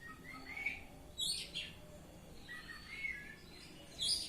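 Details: Kacer, or Oriental magpie-robin, in ngeplong-style song: quieter, scattered whistles and brief high sharp notes in short bursts separated by pauses, over steady low background hiss.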